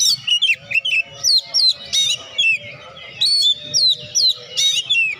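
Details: Oriental magpie-robin song meant to provoke lazy birds into singing: a dense run of bright whistled slurs and chirps repeated quickly, with a low background hum.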